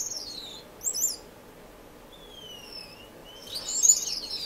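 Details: Finches in an indoor, non-breeding community aviary in Edmonton, Canada, recorded March 26, 2015: short high chirps, then thin descending whistled slides, ending in a burst of bright twittering.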